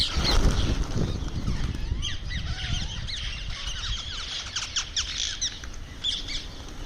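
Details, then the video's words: A pet rose-ringed (Indian ringneck) parakeet making sounds while eating gives rapid, short, scratchy chirps and squawks, several a second, after an opening stretch of low rustling and crunching. "Ringneck Parrot Making Sounds While Eating"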